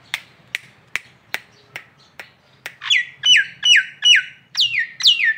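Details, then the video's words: Masteran training recording of a local Nias hill myna: a series of sharp clicks about every 0.4 seconds, then loud swooping whistles that drop steeply in pitch, repeated six times. "masteran jalak Nias lokalan aja"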